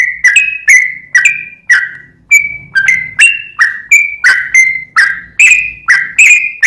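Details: Sooty-headed bulbul singing as a lure: a brisk series of clipped whistled notes, some rising and some falling, roughly two per second, each with a crisp attack, over a faint low hum.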